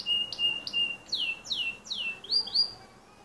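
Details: Canary song: clear whistled notes repeated about every third of a second, first short flat tones, then sweeping downslurred whistles, ending in two rising, looping notes over a quiet background.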